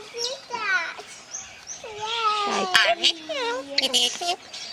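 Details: Pet male Red-sided Eclectus parrot, not hand-raised, talking during play with its owner; a dense run of voiced, wavering harmonic phrases and a long gliding tone, overlapping human chatter and soft music indoors.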